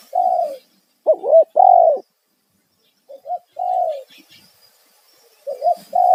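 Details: Spotted dove giving a loud 'kuk satu' style lure call meant to draw wild doves: hoarse, mellow cooing phrases of two or three notes. Some notes are looped and falling, others flat and sustained. Phrases are separated by short silences.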